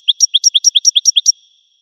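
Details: Goldfinch giving a brief series of about twelve clear, high chirped notes in quick alternating pairs, then falling silent.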